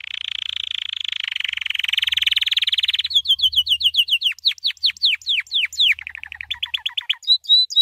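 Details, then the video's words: White canary training song: a fast trill around mid-high pitch for three seconds, then a run of steep downward-sweeping whistled notes, followed by quicker clipped notes and a final high whistled phrase. "White Canary 12h Singing - The Best Training Song"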